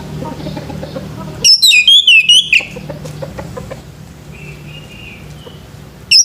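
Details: Male orange-headed thrush singing in the morning: one burst of rapid, tumbling whistled notes sweeping down in pitch, followed by a faint sustained whistle and a short closing note. A low background hum runs throughout.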